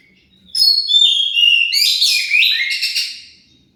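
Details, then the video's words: Song of an Oriental magpie-robin meant to make other birds answer: a bright, loud outpouring of whistled and warbled notes, descending slides and quick trills in one continuous phrase lasting about three seconds. "Pancingan Kacer pasti nyaut"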